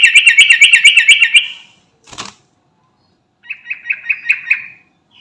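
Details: Sooty-headed bulbul ('garuda' type) calling companions: a rapid run of repeated chattering notes, a short rustle like wing flaps, a pause, then a second shorter burst of six quick notes.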